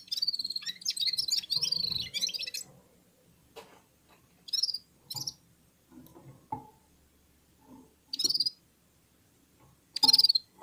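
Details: Red-fronted serin warming up, singing alongside other birds: an opening run of rapid high twittering for about two seconds, then scattered short chirpy bursts separated by pauses and faint low rustling.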